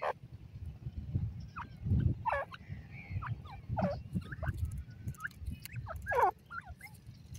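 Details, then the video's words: Grey francolin chicks calling: thin, sharply down-slurred chirps, given singly or in small clusters at irregular intervals, over low rumbling handling noise. "teetar k bachon ki awaz"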